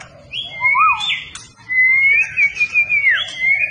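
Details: White-rumped shama, a bird with fighting spirit ready for contest, singing fluty whistled phrases that slide up and down, one lower rising-falling note, then a long wavering whistle.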